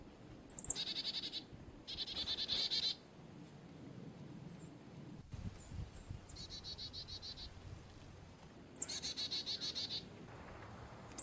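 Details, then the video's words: A Carolina chickadee gives four scolding chick-a-dee calls, spaced a few seconds apart: a thin high note or two, then a quick buzzy run of dee notes. "Chickadee call / song / sounds"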